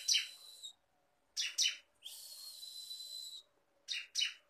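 A bar-winged prinia sings high, sharp chirps, mostly in quick pairs, around a long, even, buzzy trill lasting over a second; nothing else is heard.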